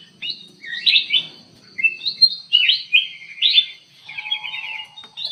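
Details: Vigorous song of a ruby-throated bulbul housed in an aviary, repeated downward-slurred whistled phrases and fast trilled runs, with a faint lower rattling note near the end.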